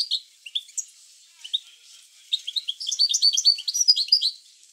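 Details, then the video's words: European goldfinch bitbita song for encouraging goldfinches to sing: a few isolated high chirps, then a dense, tumbling run of twittering notes that rises and falls over the last two seconds. "اروع بتبتة لتحفيز الحسون على التغريد"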